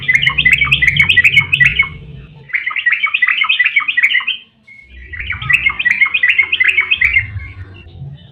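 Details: Yellow-vented bulbul delivering long 'ropel panjang' song, a lure to make other bulbuls sing: three long bursts of rapid, bubbling, chattering notes, separated by short pauses.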